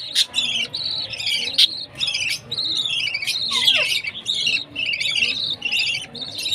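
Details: Feeding-time chirping from a baby budgie: rapid, harsh, buzzy notes in quick succession, several sharp clicks or taps, and one short descending squeak near the middle.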